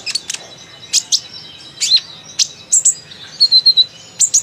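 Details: Sunbird, a chattering bird kept as a song bird, giving sharp high chips and short twittering notes in irregular bursts, some paired or in runs of three to four, with quiet background.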